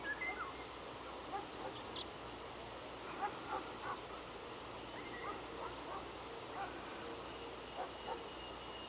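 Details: Corn bunting in Krapetz, Bulgaria, on 15 June 2011 gives dry, high ticking notes speeding into a brief jangling, glassy trill like shaken keys; a Golden Oriole's fluted whistle is heard between its songs.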